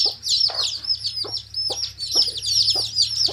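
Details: Many chicks peeping together in shrill, high, piping notes that run into a continuous chorus, punctuated by short regular knocking or tapping sounds about twice a second.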